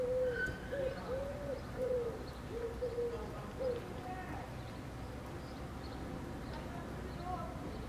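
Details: Common wood pigeon perched on a street-lamp wire in Helsinki, Finland, in July, singing: a series of soft, low hollow coos in the first four seconds, then quieter background hum with faint distant sounds.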